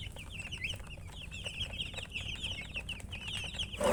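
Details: Many chicks of domestic fowl keep up a continuous high peeping chorus, short rising and falling notes packed closely, ending in a brief loud noise burst.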